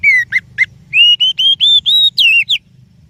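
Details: Oriental magpie-robin lure song for other birds: three short, dropping chirps open it, followed by a steady string of clear, level, and slightly rising whistles ending with a falling note.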